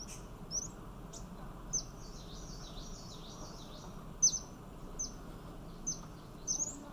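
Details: A Yellow-bellied fairy-fantail in Thailand, a small bird of about 8 cm, gives very high, thin, sharp tsit notes and short squeaky phrases, spaced irregularly, over a soft low rumble of background noise.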